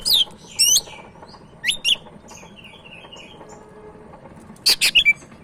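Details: Medan Sumatran leafbird (cak ijo) singing: loud high downslurred whistles and chips in short bursts, quiet faint notes between, ending with a rapid cluster of sharp notes, low hum underneath.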